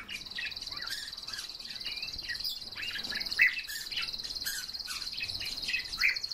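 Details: Kept Siberian rubythroat singing: varied short chirps, slurred whistles and twittering phrases, irregularly spaced, over a continuous high, steady buzzing trill running throughout.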